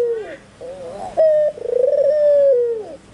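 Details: White albino Barbary dove in full, eager voice: a wavering low note, a brief clear tone, then one long vibrating coo that holds steady before dropping away at the close.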